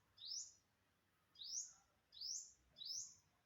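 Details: An unidentified bird, September 27, 2022: four high rising chirps, the first followed by a pause of about a second before three more come at shorter, even intervals.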